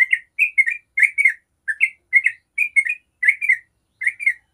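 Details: Yellow-vented bulbul giving long 'ropel' song as a lure for other bulbuls; clear, bubbly paired chirps in short bursts with brief gaps, around two per second, no background noise.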